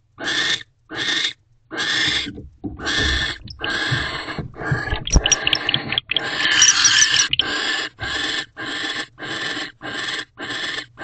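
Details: Wild barn owl pair in a nest box at night, 18 December 2023, the male back again, mating, then guarding the door; rasping hiss bursts give way to a longer, louder, continuous screechy stretch before the separate bursts resume.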